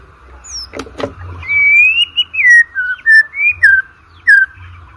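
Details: White-rumped shama song, used to spur birds for song contests: clear whistled phrases, a long sustained note slurring up then down, followed by short bright whistles and downslurs, with two sharp clicks early and a low steady hum beneath.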